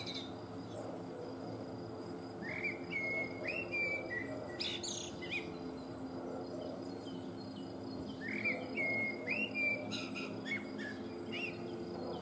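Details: Eurasian blackbird singing live, filmed with a Panasonic HC-V180 camcorder; clear whistled phrases with rising notes around 2.5 and 9 seconds, each ending in higher twittery flourishes, over steady low background hum.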